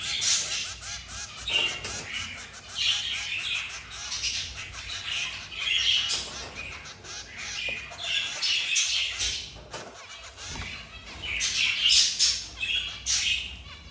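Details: Three zebra finch chicks being fed by their mother and father give harsh, hissing begging calls in rapid, overlapping bursts.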